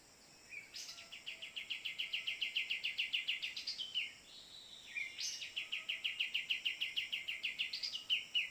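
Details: Cream-vented bulbul heard during phone luring in a Borneo forest: two bursts of fast, sharp repeated chips that build in loudness and rattle on for several seconds, each opened by a higher upslurred note, with constant insect buzz behind.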